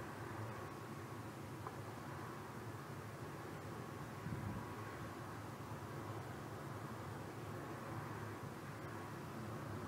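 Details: Continuous broadband rumble and hiss, like vehicle or aircraft noise, with no animal sounds.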